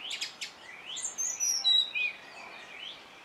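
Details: Singing song thrush: clear whistled phrases, some sliding up and down, mixed with thin high notes and short chips, over faint outdoor background noise.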